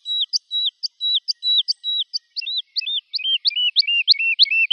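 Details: Woodlark song built from repeated upslurred whistles each joined to a level note, the phrase speeding up and dropping lower in pitch as it goes on; clean recording.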